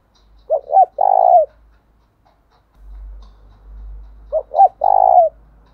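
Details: Spotted dove decoy cooing to challenge wild doves, with two identical phrases of two short notes and a long buzzy coo, separated by a faint low rumble.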